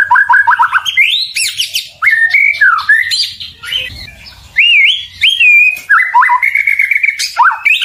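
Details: White-rumped shama song of varied whistled phrases, quick repeated notes and rising slurs, loud and clear with only faint background hum.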